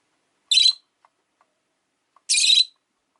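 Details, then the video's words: Two harsh, rasping chirps about two seconds apart from a rosy-faced lovebird on a relaxed afternoon, with faint soft ticks between them. "Lovebird Chirping Sounds"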